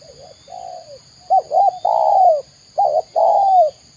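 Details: Spotted dove from Indonesia, locally tekukur, with a soft phrase then two loud ones, each of short bent notes leading into a long drawn coo that drops at its tail.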